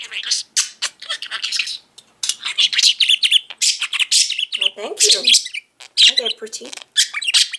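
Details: Pet budgie, five-year-old male, singing and talking indoors with a full belly after breakfast: a long stream of scratchy mimicked words, chirps and trills, with a few lower harmonic squawks near the end.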